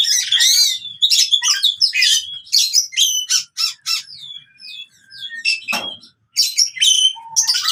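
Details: Oriental magpie-robin fighting song for reviving silent birds: harsh chattering phrases, then descending whistled slurs and clear high notes, with a short quiet gap and a sharp click partway through.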